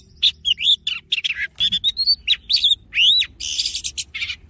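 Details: Forest-voice song of an Oriental magpie-robin used to train singing and fire up males. A continuous, rich stream of varied whistles, quick rising slurs, buzzy rasps and trills, with faint low background hum.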